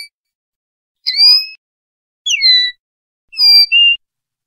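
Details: Common linnet singing in the clean 'pardillo limpio' style of Spanish silvestrismo, from a 2025/2026 song recording: three separate, high whistled phrases, each a pair of sliding pure tones with a lower falling note, spaced about a second apart in silence.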